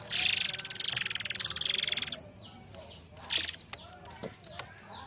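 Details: Murai Air forktail lure song: a two-second harsh, rapidly pulsed buzzy rattle with thin high whistles, then a short second burst and soft clicks.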